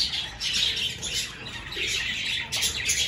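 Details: Budgerigars in an outdoor aviary at the start of breeding season, with clay pots set up as nest boxes. A dense flock gives continuous high, scratchy chirps and squawks overlapping, with no pauses.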